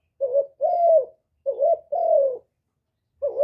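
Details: Spotted dove, hạp bổi voice style, from a noise-free recording of its full calling, urging and cooing song. Two pairs of deep, mellow coos, each a short note leading into a longer sliding one, then the start of a third.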